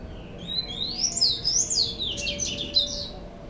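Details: White-collared seedeater called bico laranja or argolinha branca for its orange bill and white neck stripe, a well-cared-for cage bird; lively song of quick swooping whistles and sharp trilled notes, high and continuous, with a faint tone underneath.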